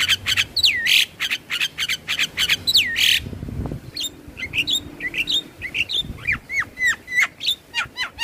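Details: Javan myna song for stimulating stressed, reluctant caged birds, played morning and evening: raspy rhythmic chatter with swooping downslurred whistles, then a series of separate squeaky upslurred and downslurred notes.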